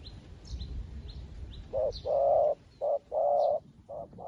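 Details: A newly kept decoy spotted dove calling to wild doves, as well as an old decoy would: deep, hollow coos in short and drawn-out notes of uneven length, with faint thin chirps of small birds behind.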